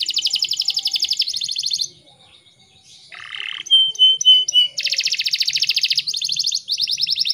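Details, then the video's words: Morning canary song used as a lure to spur young untrained birds, or birds silenced by stress or moulting, into singing. Long rapid high trills alternate with a lower rolling phrase and quick whistled slides. "PANCINGAN KENARI DI PAGI HARI PALING AMPUH"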